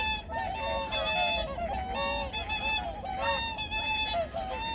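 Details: Many migratory birds calling together at dawn on Junam Reservoir, Changwon, 2019; loud, harmonic honks overlap in rapid clusters, some sliding slightly downward, over a faint low background drone.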